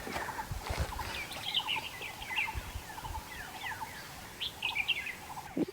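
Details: In Khao Yai National Park, Thailand, a Red-whiskered bulbul gives bright, bubbly chirps and short warbled phrases over a busy forest chorus, with a steady run of lower notes and a few dull thumps.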